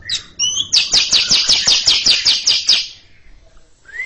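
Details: Cucak ijo (greater green leafbird) chattering in front of a stalled younger bird: short whistled notes lead into a steady string of about thirteen sharp, buzzy high pulses, ending with a rising whistle.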